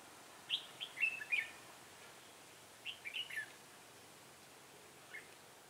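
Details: Trapping decoy red-whiskered bulbul, 6 December 2016, giving two rapid bursts of bright, warbling chirps, each about a second long and about two seconds apart, followed by one faint note and quiet.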